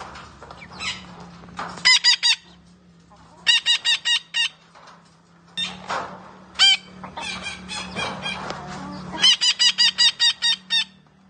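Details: Green parrot giving harsh, rapidly repeated squawking calls in bursts of four to six notes, with a low steady hum and scattered background noise between bursts.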